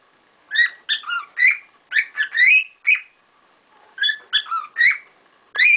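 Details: Pet cockatiels in a rowdy chorus: loud whistled notes, some rising and some wavering, come in quick clusters with short quiet gaps between them.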